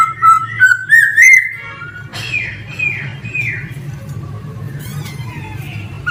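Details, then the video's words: Male laughingthrush opens with a run of clear rising whistles, followed by quieter, more distant arched notes and soft tail-off, over a low hum. "Noog sab hw quaj zoo heev 2021 ( Khướu trống hót hay nhất )"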